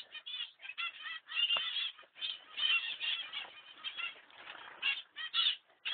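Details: A baby male zebra finch, out of its nest box after falling out, gives rapid, nasal, honking calls in quick bursts, almost without a pause.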